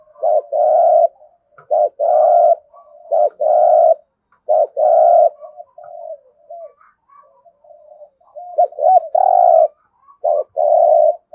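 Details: A spotted dove in thúc gù style with the rolling thổ rền voice, repeating low, buzzy coo phrases, each a quick clipped note followed by a longer vibrating coo, with soft murmuring between bursts.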